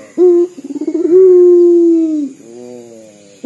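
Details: Indonesian local puter dove giving a sobbing-like call: a short low note, then a quick stuttered run that swells into a drawn-out, slightly falling hoot, ending in a quieter trailing sound.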